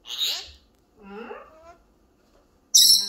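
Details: Senegal parrot speaking Korean words to its owner, greeting hello and I love you; a raspy rising syllable, then a lower warbled word-like sound, ending in a loud harsh squawk.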